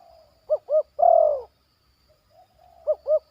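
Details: A young trainee zebra dove coos in a yard, giving its 'batuk' and 'poin' phrases. Two quick arched notes run into a drawn-out, falling, purring coo, then a soft pause before the double notes return.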